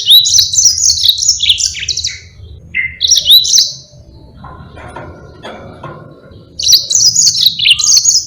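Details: Yellow-fronted canary in long, energetic song used to tutor other cage birds: rapid high twittering phrases with sweeping whistles, a quiet gap of murmuring noise, then the twittering resumes.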